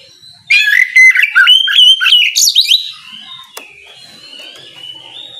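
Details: Morning ngeplong song of an Oriental magpie-robin meant to draw rivals into answering. Rapid run of clear, ringing whistles and fast chipping notes lasting about two seconds, then trailing off into faint, thin distant bird notes.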